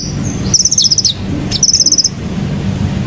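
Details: Two short phrases from a wild hummingbird, each a fast run of piercing high notes ending with a dropping slur, separated by about a second of quiet with faint low background noise.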